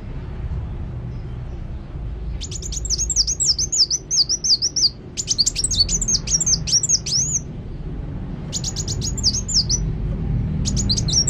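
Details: Kolibri wulung, a sunbird, singing actively: long runs of quick, high wavering whistles and chips in three main bursts, set against a constant low rumbling background.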